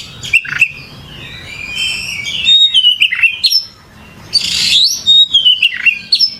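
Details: Oriental magpie-robin (kacer) gacor singing: high whistled notes and quick chirps in clustered bursts, a quieter gap near the middle, then a loud buzzy note followed by more sweeping whistles.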